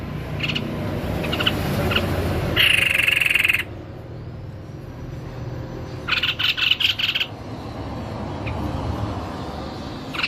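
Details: Lively White-necked babbler: scattered short chips, then a long harsh buzzing burst, a pause, and a quick cluster of rasping stuttered notes against a background hiss and low rumble.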